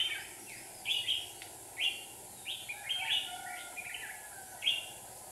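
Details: Decoy red-whiskered bulbul singing at a trap in Hòa Bình, Vietnam, where two decoys are used to draw in wild birds: about seven quick, bright warbled phrases at irregular intervals under a low steady hum.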